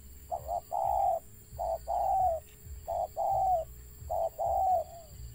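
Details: Stuttering call of a wild spotted dove. It gives three or four rounds of a quick double stutter note followed by a long, mellow, gently falling coo, repeated about every 1.3 seconds against a constant background hum.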